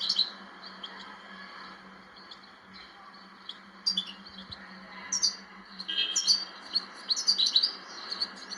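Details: European goldfinch song that begins with sparse high chirps and builds into rapid, tinkling twittered phrases in its second half, with a constant low background hum.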